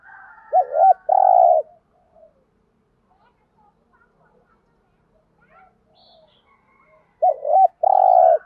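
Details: Decoy spotted dove calling to provoke rival doves in the thúc gù style: two phrases seven seconds apart, each a quick wavering double note then a long level coo, with near silence and faint distant sounds between.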